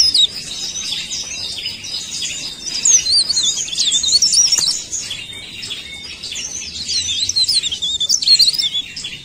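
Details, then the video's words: Busy high-pitched twittering from a leaf warbler, quick squeaky whistles and chips tumbling on without break, rising and falling in loudness through the stretch. "CIKRAK DAUN GACOR"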